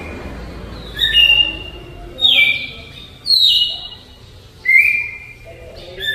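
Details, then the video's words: Slow flute-type song of a Campo Troupial from Alagoas: four loud whistled phrases with falling slurs, spaced roughly a second apart over quiet background hiss. "GALO DE CAMPINA CANTO FLAUTA ALAGOANO LENTIDÃO"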